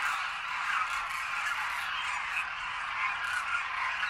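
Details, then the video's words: A large flock of Demoiselle Cranes in Khichan village, Rajasthan, circling after feeding before their return journey across the Himalaya. A continuous wall of harsh, overlapping croaks rises and falls gently without pause. "Cacophony of Cranes seen en masse"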